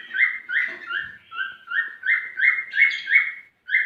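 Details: Male cockatiel singing to stimulate a female to mate: a steady series of clear, upslurred whistled notes, each about a third of a second long, repeated roughly three per second with faint harmonics above.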